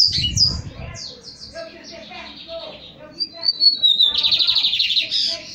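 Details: Song of a young male lined seedeater coming out of moult: scratchy twittering phrases, then a thin falling whistle leading into a fast buzzy trill, with low background noise.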